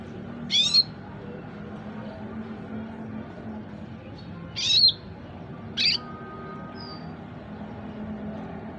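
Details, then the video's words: Four-month-old red siskin learning to sing in the ngriwik style: three short, high, thin chirps, the middle one slightly rising, spread over several seconds against a steady low background hum. "PAUD 4 BULAN BURUNG RED SISKIN BELAJAR NGRIWIK GACOR"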